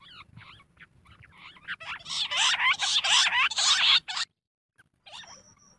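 Jungle bush quail giving a rapid chorus of high, wavering whistled notes, about four per second, rising to a loud burst before stopping abruptly.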